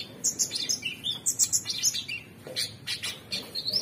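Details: Gacor song of the Orange-bellied Leafbird: a brisk run of bright chirped notes and squeaky whistles, ending in a rising whistled phrase.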